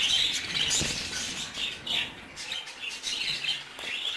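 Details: Three-month-old baby budgerigars chatter in a busy, high-pitched stream of overlapping chirps and scratchy warbles, with a brief burst of wing flutter near the start.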